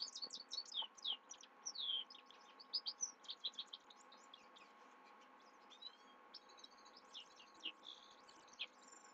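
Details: Himalayan goldfinch singing at night, a long fast stream of tinkling, high twittered notes and brief buzzy trills that thins out into scattered chirps, over a soft steady hum.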